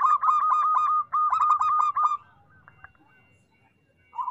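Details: A local zebra dove sings two loud, fast runs of staccato coos at an even mid pitch, then falls mostly quiet before a final short phrase begins.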